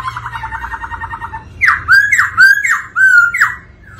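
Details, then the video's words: White-cheeked laughingthrush with a female's rolling 'ro ro' call used to excite the male: a fast, even rattling trill gives way to four loud slurred notes, each dropping sharply, then leveling into a short whistle. "Chim khướu Bạc Má hót múa tiếng mái ro ro kích tróng"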